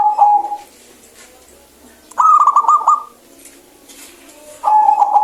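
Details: Clear-voiced local zebra dove singing steadily, used to rouse birds reluctant to sing. A level coo, then a phrase of quick staccato coos, then another level coo, with quiet gaps in between.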